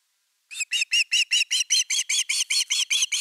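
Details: At its Finnish nest on 30 August 2021, during an evening fish delivery, an osprey gives a steady series of about fourteen shrill whistled chirps, roughly four per second, starting after a short silence.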